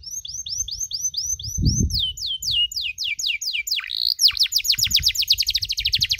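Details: Canary chirping on a training recording for other canaries learning cuit cuit: repeated sharp downward-sweeping notes that speed up into a dense rapid series, with faint low background rumble.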